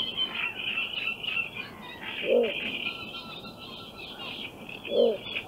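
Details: Little Bittern from Central Russia giving two short, low, gruff hoots about two and a half seconds apart, set against a steady wash of high twittering from other birds.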